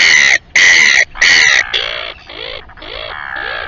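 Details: At the Taiaroa Head colony near Dunedin, New Zealand, a Royal albatross gives three loud braying notes, then a softer series of rising and falling moaning calls.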